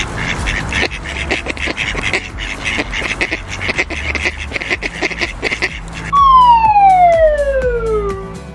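A duck gives rapid, harsh nasal quacks, about three a second, for six seconds. A long falling whistle-like tone follows at the end.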